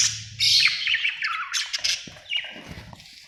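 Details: Budgie chirping: harsh, scratchy squawks and warbles in quick bursts, loudest in the first half, then fading to softer scattered notes.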